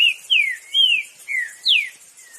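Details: Green-winged saltator singing free in the wild: a run of loud, clear whistled slurs, each sliding downward, spaced roughly every half second, ending with a faint short final whistle.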